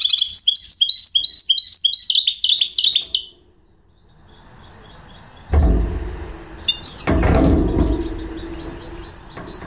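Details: Rapid, high twittering phrases from a goldfinch hybrid for three seconds, then a quiet pause followed by loud rustling and knocking noises with faint chirps.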